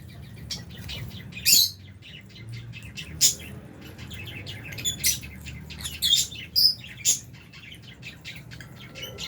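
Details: Albino and Fisher's lovebirds, kept in an aviary with budgies, chirping while eating food; sharp, high, scattered chirps come in short bursts every second or so, with a few louder peaks, over a soft low hum.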